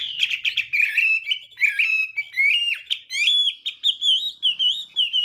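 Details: Morning fighting song of a Chinese hwamei, sung to train the voice and provoke singing: jumbled warbles at first, then clear slurred whistles, several rising sharply, repeated roughly once or twice a second.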